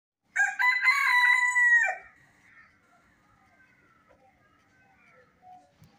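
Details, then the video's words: Country hen during feeding gives one loud, drawn-out harmonic call lasting about a second and a half, ending in a falling tail. Soft, faint clucks and rustles follow in a quiet setting. "Hen Sound Effect 2022 | Chicken Nosie"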